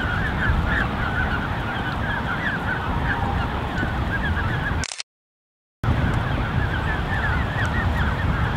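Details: Crowded Canada goose creche of 30+ goslings, June 2015: rapid overlapping high peeps roughly four per second, interrupted by a brief total silence near the middle, then resuming over low rumbling noise.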